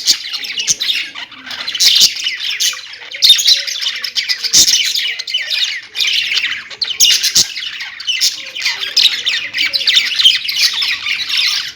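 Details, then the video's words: Several kept budgies keep up busy chirping and squawky chatter, high-pitched warbling notes tumbling over one another with brief sharp tapping sounds. "parakeet chirping sounds| budgie sounds"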